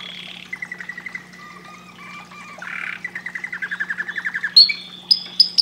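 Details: Canary singing a varied phrase: lower buzzy tours, a rolling trill of evenly repeated notes, then high sharp chirps, over a faint constant hum.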